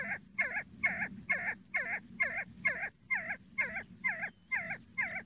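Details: Regular, evenly spaced calls of a see-see partridge: a dozen short bent whistles, each a quick wavering note, delivered about twice a second above a soft low background drone.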